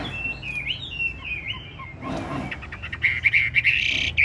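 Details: Big caged Chinese hwamei, ngũ trường type, singing with nodding and lion-dance movements: a fluent warbled whistle wavering around one pitch, a brief noisy rustle, then a run of quick repeated bright notes.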